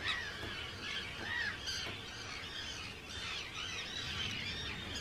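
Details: Crowded Arctic tern colony, Rottumerplaat in the Netherlands, 4 June 2023; a nearer bird gives grating, downslurred screeches at the start, over a continuous background of many other calling terns.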